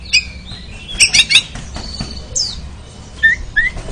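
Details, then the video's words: Oriental magpie-robin (kacer) training recording meant to make the bird sing in the ngeriwik style: scattered clicks, short high chirps and rising whistled slurs, with a soft low hum beneath. "TERAPI KACER ANTI LEMOT MENTAL JUARA LANGSUNG NGERIWIK"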